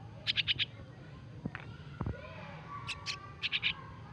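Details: Hand-fed nestling starlings, recently taken from a nest, give short bursts of three or four quick, high, scratchy notes, repeated at intervals, with a couple of soft handling thumps between.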